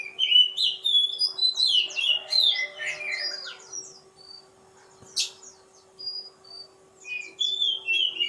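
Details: Oriental magpie-robin of the kacer poci type singing a varied run of high whistled notes, sweeps and short chirps, loud in the first three seconds, then in spaced bursts, over a low steady hum.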